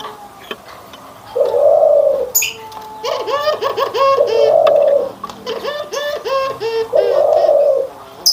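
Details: Anggungan coo of Barbary doves, white and brown birds compared: a few deep, rounded coos spaced about two seconds apart, mixed with bursts of bright, harmonic chattering calls.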